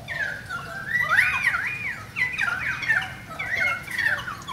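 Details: Currawong song in a rain shower: loud, swooping whistles rising and falling in arcs, grouped in three bursts with brief gaps, with harsh overtones and a faint low background hiss.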